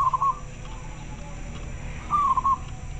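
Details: Local zebra dove answering another bird, voice very clear: two short broken coos about two seconds apart, each a mid-pitched, slightly falling note in quick beats, over low rumbling noise.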